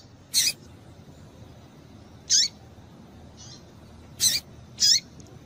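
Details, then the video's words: High, clipped chips from a female double-collared seedeater, a call meant to excite males: four strong notes and one faint one, irregularly spaced, with little else audible. "Piado de Fêmea de Papa capim Para Esquentar Papacapim"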